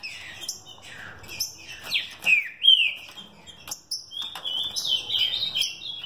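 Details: Captive-bred green-winged saltator of a fibra-type mutation line singing: loud, rich whistled phrases sliding up and down, with abrupt breaks and a sustained whistled run near the end; clicks and faint noise behind.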